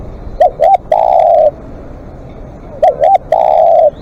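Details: Live-decoy spotted dove in long calling, repeating its phrase twice about 2.4 seconds apart: two quick bouncing coos, then a drawn-out, even, hollow coo. Sharp clicks sound alongside each phrase.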